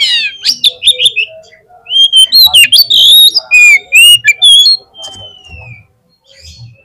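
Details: Oriental magpie-robin lure song meant to set a bird singing at a contest field. A dense burst of whistles, sharp chips and rasping notes ends in a long falling whistle, then quiet.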